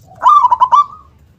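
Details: Local zebra dove (perkutut) singing loudly with a big, snapping 'kung' style. One phrase of four or five quick, punchy coo notes slurring into a fading final coo, with a faint low rumble.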